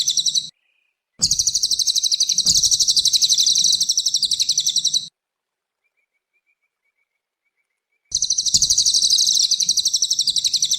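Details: Cililin songbird singing vigorously, used as a training recording for young cage birds: loud, high, rapidly pulsed chattering trills in long bursts, broken by a short pause and a longer silence before resuming.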